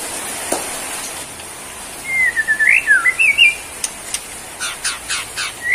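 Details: White-rumped shama (Borneo variety), a caged singing bird, delivering a short phrase of clear whistled notes that rise and fall, followed by sharp clicking ticks and a brief rising whistle at the end.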